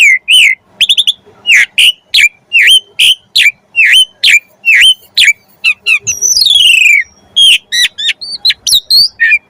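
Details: Asian pied starling in full, lively song, used as a lure to get other starlings singing: rapid run of loud, high whistled notes, many sharply rising or falling, then a long descending buzzy sweep and more varied clear whistles.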